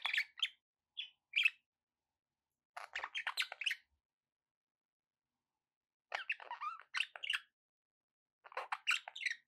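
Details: Sparse budgerigar chatter with short scratchy chirps and clicking bursts arriving every few seconds, separated by silent gaps.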